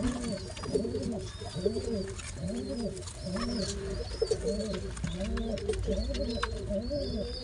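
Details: Two baby pigeons fed together by their father: a steady run of low arched coos, roughly one per second, with faint high-pitched squeals from the chicks drifting above in a small room.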